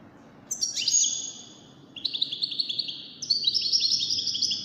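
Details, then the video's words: Wild-caught European goldfinch singing in a five-bird song contest; rapid, high-pitched liquid twittering in three linked bursts, each a quick jumble of bright chirps and short trills, over a soft low hum. "مسابقة افضل تغاريد 5 حساسين ويدانية"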